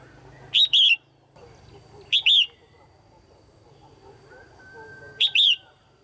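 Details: Female red-whiskered bulbul calling to rouse males or to pair: three bright double whistles, each a quick rising note followed by a slurred falling one, spaced about one to three seconds apart over low background hum.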